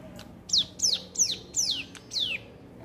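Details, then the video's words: Young hill prinia learning to sing: five loud, high whistled notes, each sliding downward, delivered about every third of a second with a few faint clicks between them. "ciblek gunung belajar bunyi"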